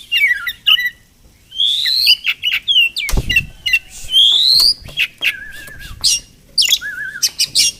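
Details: Wild Oriental magpie-robin (Murai Kampung) visiting a village house each morning, possibly nesting nearby; clear rising whistles, quick chips and wobbling trilled notes in separate phrases with gaps, plus one low thud.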